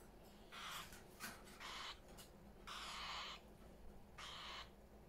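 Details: Parrots in a house full of them give harsh, noisy squawks in irregular bursts of about half a second, several in a row with short gaps, over a low steady indoor hum.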